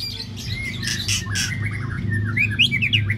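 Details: White-rumped shama preparing for a practice singing contest in Babagan village, Lasem: harsh broadband notes followed by quick rising whistled phrases, with a continuous low hum and other noise underneath.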